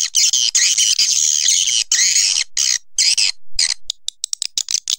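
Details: Long harsh, buzzy swiftlet twitters in sustained bursts, then a run of quick separate chirps near the end.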